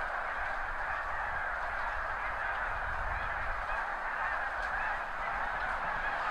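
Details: Thousands of wild snow geese taking off together from crops near the seaway at high tide in mid-spring, recorded from a backyard with a Nikon D7000 and Azden microphone; a dense, continuous chorus of overlapping nasal honks with low rumbling underneath.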